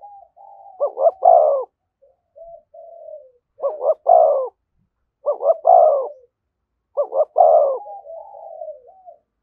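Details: Spotted dove calling near a decoy in the 'thúc gù' manner. Four phrases, each a rapid pair of soft notes followed by a rich rolling coo about every one and a half seconds, with quiet, drawn, lower coos filling the gaps.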